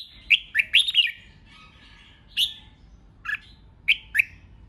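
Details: Red-whiskered bulbul sings the 'hót ché' dueling song that urges newly caught rivals to answer. A rapid burst of three or four warbled notes opens, then single bright chirps follow spaced about a second apart.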